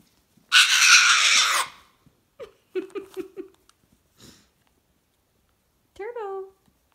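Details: Pet cockatoo indoors in a small room, described as having lost his mind: a loud, harsh, broadband screech of about one second, then a run of short clicking notes, then a brief wavering call, with a person talking to it.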